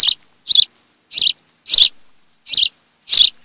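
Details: Nest-camera recording of an osprey pair on Kent Island, Maryland, 26 July 2018, early afternoon: six piercing, high chirps spaced roughly two-thirds of a second apart, with clean silence between them.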